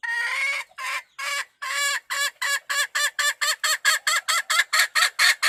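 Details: Wild chicken hen calling the rooster: a long harsh opening note, then about eighteen short clucking notes that speed up into a quick, even series, each sharp and nasal.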